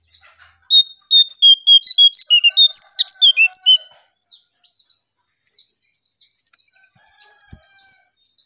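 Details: Striped tit-babbler lure song: a loud run of about fifteen clear whistled notes, evenly spaced and stepping up and down, over a background of high, thin chirps from other birds.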